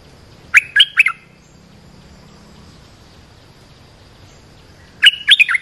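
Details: Olive-winged bulbul luring and training call: a brisk three-note bubbly phrase, then silence and a second, slightly fuller phrase about four and a half seconds later, with a low hum in the background.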